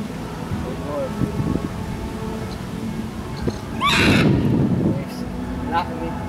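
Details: Blue-and-yellow macaw at Mosai Eco Park, Ancol, Jakarta, Indonesia, 23 February 2014, giving one loud, harsh, grating squawk lasting about a second, over steady background chatter of people talking.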